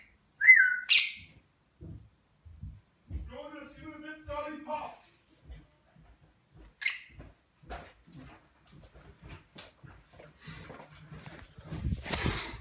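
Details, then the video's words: ['Pet African grey parrot indoors saying hello: a short, clear mimicked word in the middle, among sharp squeaky whistles at the start and end and a few soft clicks and rustles.'] "africa grey talking"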